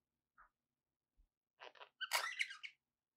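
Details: Budgies giving a few faint soft notes and a brief squeak, then a louder burst of harsh, scratchy chatter near the end.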